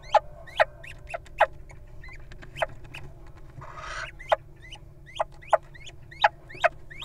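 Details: A mate-guarding little owl at a nest box used by a breeding pair calls repeatedly in sharp, short upswept notes, some louder and some fainter, over about seven seconds. A rustling burst comes partway through, with a constant low hum behind.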